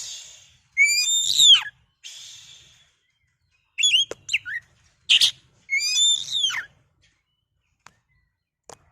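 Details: Oriental magpie-robin in a lure recording intended to provoke a kacer's song: rich cascading whistles sweeping downward, repeated in several bursts with pauses, a harsh buzzy note mid-way, and faint ticks at the end.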